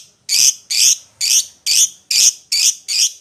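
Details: Lovebird calling its companion with a quick series of seven harsh, buzzy, high squawks, each about a quarter second long, repeated roughly twice per second.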